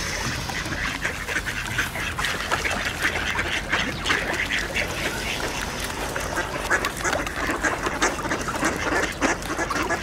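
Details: Mallard ducks crowding an ice hole among Eurasian coots and two swans, quacking for position after bird seed is spread; dense overlapping harsh quacks and chatter through a noisy wash of splashing and wingbeats.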